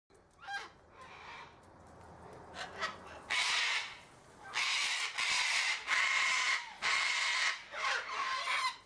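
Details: Sulphur-crested cockatoo, a large white cockatoo, giving loud harsh broadband screeches in a rapid series of long bursts with short gaps, after a few fainter rasping notes at the start.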